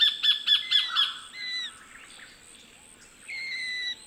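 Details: Sacred kingfisher, Australian bush in Wollemi National Park: five rapid sharp 'kek' notes, then drawn-out squeaky 'tchyeeeur' slurred calls with a quieter stretch of background birds and insects.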